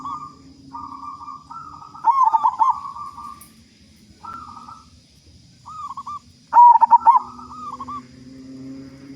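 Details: Big-voiced local zebra dove, used to lure other doves into singing fast: long level cooing phrases broken by two loud, rapidly pulsed stuttering bursts, with brief quiet gaps.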